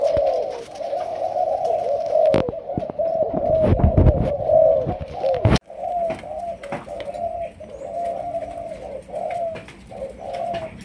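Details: Young Malaysian spotted dove practising as a decoy gives fast runs of low coos. Clattering knocks sound in the first half, then after a sharp break the cooing carries on more softly.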